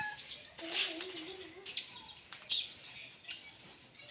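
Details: Blue-crowned hanging parrot in 'main singa singa' song style, used as a lure: bursts of shrill, very high twittering chirps separated by short pauses, with a low wavering hum beneath the first half.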